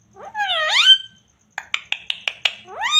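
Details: Talking parrot giving a rising, nasal, harmonic squawk that swoops upward. After a pause come six short clipped notes in quick even succession, then another rising squawk begins.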